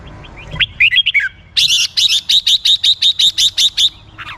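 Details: Red-whiskered bulbul: a few quick slurred whistles lead into a fast, steady train of about twelve sharp 'rik' chips, evenly spaced and loud, ending with one falling note.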